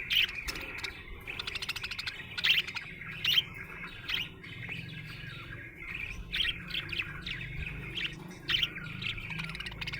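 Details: Happy budgerigar chattering continuously, with rapid clicking chirps, buzzy trills and sharp squeaks repeating every second or so over an unbroken high warbling stream.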